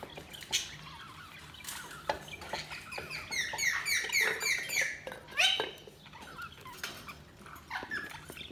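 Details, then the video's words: Budgerigar chatter: a rapid, wavering warble of high notes mixed with scratchy chirps, over a background of frequent clicks and rustling. "Budgies Chirping sound"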